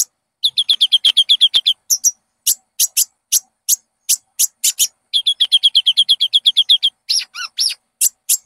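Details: High, clear Konin song used to train caged birds to sing: quick bursts of rapid high chattering notes between spaced sharp chips, ending with a few downward-slurred whistles.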